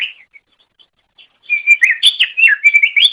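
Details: Masteran song of the greater green leafbird, meant for tutoring caged songbirds: brief scattered notes give way to a fast, continuous chattering phrase of mixed whistles and chips.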